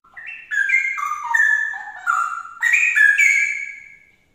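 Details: Straw-headed bulbul song, used to prompt another straw-headed bulbul to answer in song: a rich, flowing phrase of clear whistled notes stepping up and down, with a second, louder burst near the end; no other sounds.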